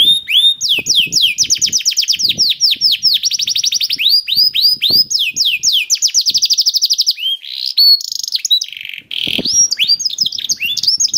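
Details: Canary song used as a prompt to get other canaries singing: long rapid trills of high downward-sweeping notes, rolling runs and short whistled glides, delivered almost without pause.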